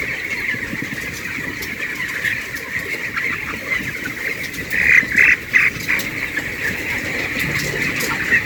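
A flock of broiler chicks chirping continuously, a dense chorus of high peeps around two per second, with a few louder calls standing out and steady background hum.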